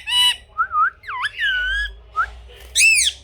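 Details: Pet parrot making loud harsh squawks, twisting whistled notes and a drawn-out wavering screech, with a final rasping cry.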